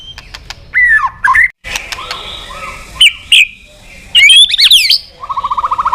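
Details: White-rumped shama, an actively singing bird, calling a rival in a lure recording: short loud whistled phrases that slide and bend, separated by brief gaps, ending in a fast buzzy rattle of repeated notes.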